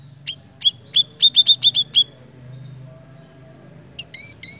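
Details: Siri-siri bird gives a quick run of about ten sharp, high chirps, accelerating then stopping, then after a pause a few clearer whistled notes over a faint low hum.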